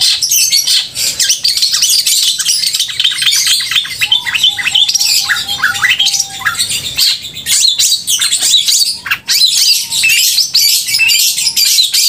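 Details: Singing long-tailed shrike with a loud, crystal-clear voice, used to trigger emotion and mating urge in other shrikes; continuous harsh high chatter and clicks, broken midway by a series of soft low whistled notes.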